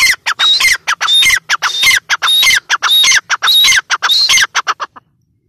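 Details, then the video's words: Loud calls from a female grey francolin, known locally as teetar. Harsh, grating notes with a piercing whistled edge come in tight, rhythmic bursts, close to two per second, and stop abruptly near the end. "Teetar ki boli | Teetar voice | gray francolin teetar sound | Female teetar awaz"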